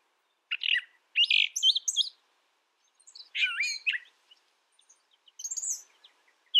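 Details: Brown thrasher giving short, sharp chirping phrases, then a slurred rising-and-falling phrase and a faint high note after a pause.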